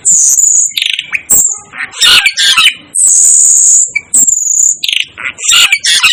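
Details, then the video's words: Asian glossy starling, dubbed the 'devil' bird, giving long, thin, high whistles alternating with harsh buzzy chirps and squeaky notes in a busy, overlapping stream. "'DEVIL ' BIRD CALL || Asian Glossy Starling Calls"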